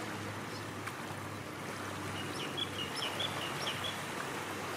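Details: Pied oystercatchers along the Cairns Esplanade in Australia give a quick run of high, thin piping notes in the second half, over a steady rush of wind and water.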